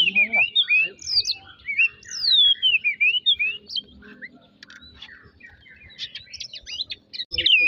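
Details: Oriental magpie-robin used as a singing lure: looping whistled phrases in the first half, fading into quieter scratchy ticks and chatter with some background noise, then a final loud burst.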